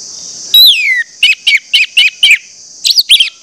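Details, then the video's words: Orange-headed thrush song meant to provoke other birds of its kind into singing: a long descending whistle, then a run of six evenly spaced warbled notes and a few more quick notes, over a steady high hiss. "pancingan anis merah bikin anis merah lain cepat ngeplong"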